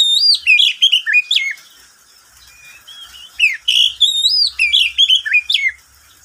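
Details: Midday song from a pet oriental magpie-robin: rapid, varied phrases of slurred whistles and sharp chirps, a short pause, then another lively run, faint low rumble underneath.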